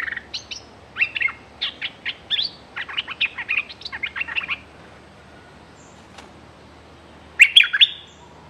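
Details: Caged bulbul used as a decoy to lure wild birds, threatening nonstop, recorded 24/06/2023; about four seconds of quick, harsh chattering notes in uneven bursts, a pause, then a short sharp burst near the end.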